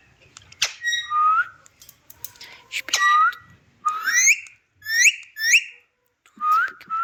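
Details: Talking Indian ringneck parakeet producing quick repeated upslurred whistles, some bending down then up, in a dense run of about eight phrases with brief clicks and soft background noise.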